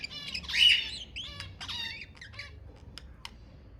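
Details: Budgerigar song meant to encourage breeding: a loud, squeaky rising chirp, then a run of scratchy, clicking notes that thin out into a few sharp ticks against a quiet background.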